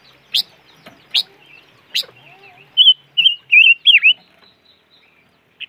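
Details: A chim ngũ sắc, or noog rheeb, calling: a few sharp clicks first, then a series of wavering, warbled whistles, one dipping steeply, ending with a short note.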